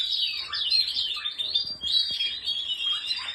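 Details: Canary warbling a high, fluid song of twisting slurred notes and quick trills, with a few dips to lower notes and faint clicks in the background.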